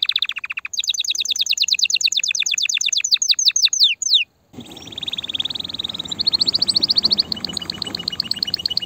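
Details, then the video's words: Excited canary song to stimulate mating and nest building: fast rolling trills and a descending series of slurred notes, followed by a sustained high trill over a soft background hiss. "تغريد كناري هائج , لتجهيز الاناث على التزاوج , و بناء العش فورا"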